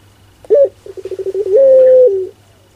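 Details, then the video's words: Barbary dove (puter) in pelung style delivers one phrase: a sharp rising note, a burst of rapid pulsed coos, then a drawn-out flat coo ending on a slightly lower tone. "Suara LUCU PUTER Pelung"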